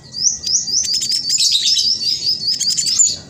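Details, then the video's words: Spotted black sunbird pouring out an unbroken, very high, twittering warble, fast and tightly woven, from a bird used as a lure to set idle birds singing. "Blacksunbird trotol gacor prospex cocok buat pancingan burung macet malas bunyi"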